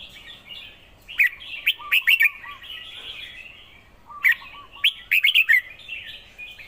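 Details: Red-whiskered bulbul giving two quick bursts of lively chirped notes with crisp ticking accents, about three seconds apart. Quieter, lower warbling notes and a soft background hiss fill the gaps.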